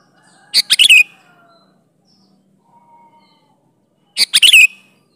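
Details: Sooty-headed bulbul in full natural-style song used to lure bulbuls to answer: two quick burbling phrases of several clipped notes each, about three and a half seconds apart, with faint thin whistles between.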